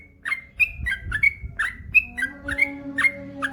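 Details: Male yellow-vented bulbul (trucukan) sings bubbly two-part whistled phrases, a low slur then a bright higher note, repeated about every half second, with a steady low electrical hum underneath.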